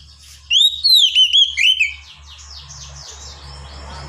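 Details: Oriental magpie-robin (kacer) in a ngedon training recording gives a short burst of bright whistled, swooping notes, then fades into a steady low hum and hiss with softer rhythmic chatter behind.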